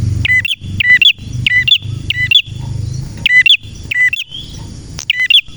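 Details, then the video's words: Lively male red prinia (prenjak merah): evenly spaced bursts of high, sharp chirps about every half second, each burst a quick double or triple note, with a pause midway. "Prenjak Merah Gacor cocok untuk masteran dan pancingan prenjak bahan ‼️prenjak birds singing ‼️"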